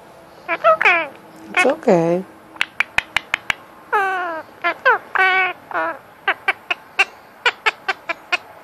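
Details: Male Indian ringneck parakeet kept as a pet, talking at cuddle time to win petting: curved chatter syllables mixed with sharp repeated clicks and short squawky notes, with soft music in a small room.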